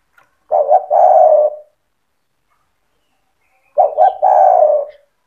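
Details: Energetic spotted dove singing in 'cetretan' style to stir rival doves into answering: two deep cooing phrases, each a pair of quick notes followed by a drawn-out, slightly falling purr, with silence between.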